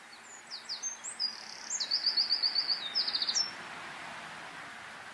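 A Eurasian wren pours out a loud, high, rapid song of sharp notes and quick trills, lasting about three seconds, over a faint background hiss.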